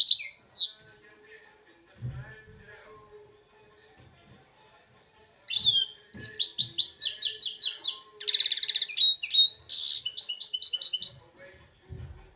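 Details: Goldfinch x red siskin hybrid, two years old, kept in Belfast, delivering Algerian goldfinch song: after an opening chirp and several seconds of near-quiet with soft low thumps, a long run of high, rattling, twittering phrases and bright buzzy trills.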